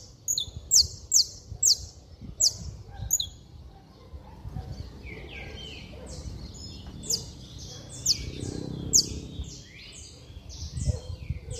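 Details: Saffron finch singing intensely to provoke other saffron finches. It opens with loud, piercing, sharply falling high notes, then gives quicker tumbling phrases of chirps and slurs. Faint low noise sits underneath.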